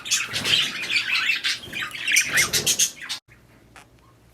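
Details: Breeding budgerigars, rapid chirping chatter for three seconds, then it stops abruptly, leaving near silence with a few faint clicks.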